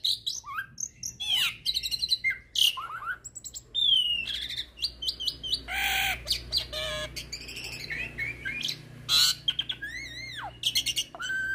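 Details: Hybrid starling song used to tutor magpie-robins and kacers: a varied, continuous medley of whistled upslurs and downslurs, rasping buzzy blocks, rapid trills and wavering warbled notes.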